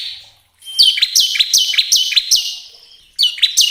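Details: Song of a bar-winged prinia meant to stimulate caged birds to sing: after a faint lead-in, a rapid run of about six harsh, descending high notes, then a brief pause and a new burst.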